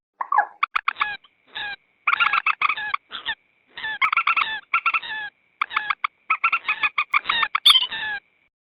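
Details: Common moorhen calling on an edited lure track meant to attract wild birds at swamps, rice fields or waters. Dense, uneven sequence of harsh harmonic clucks and drawn nasal notes, broken by brief pauses.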